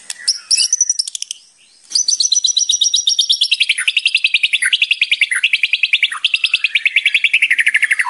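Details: Shama training song with rattling kretekan. A few opening phrases lead into a long, machine-gun-like rattle of rapid, evenly spaced sharp notes that dips in pitch now and then.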